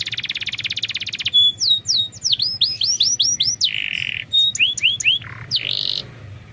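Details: Canary lure song meant to get a lazy bird singing. It opens with a rapid, even, high trill, then moves into bright looping downslurred whistles and short buzzy notes.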